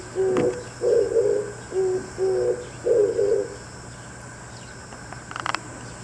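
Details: Early-morning Oriental turtle dove trading calls with another dove: a run of five low, husky coos in quick rhythm, short then longer notes, followed by quiet background hum and a faint rustle.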